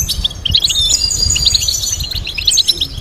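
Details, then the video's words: Breeders' goldfinch delivering a fast, lively run of tinkling twitters and short high whistles, closely packed and continuous, with light low-frequency background noise. "Teaching goldfinch to sing complex stimulating melodies"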